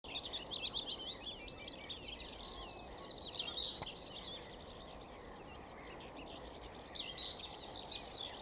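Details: Willow warbler (Phylloscopus trochilus), call.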